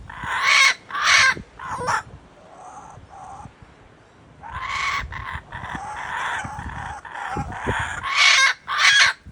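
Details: A kookaburra in Australia gives loud, harsh, raucous bursts that break into a rolling, chuckling chatter, then rise again into loud cackling notes at the end.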